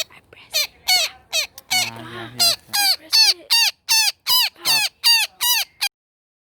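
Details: Shrill, falling screams from a woodpecker tangled in a net, rapidly repeated, broken near the middle by a Spanish-speaking voice, then resuming loud and regular before stopping abruptly.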